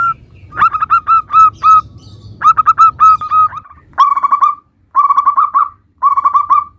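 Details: Vocal local zebra dove, compiled song meant as a lure for quick replies: clusters of mellow rolling coos, first crisp and spaced, later blurred trilling runs, with short quiet gaps between them.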